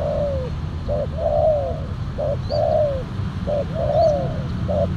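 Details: Spotted dove coo phrases heard as a silver, black-collared decoy dove lures wild ones: short clipped note followed by a longer falling coo, the pattern repeated three times at a steady pace, with faint high chirps and low outdoor rumble.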